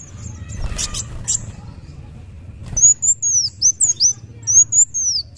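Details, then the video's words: Sunbird, local name kolibri wulung, begins after a brief clatter: a sequence of high, thin, downslurred and arched whistles in quick, slightly irregular phrases. "kolibri wulung muncang daun gacor"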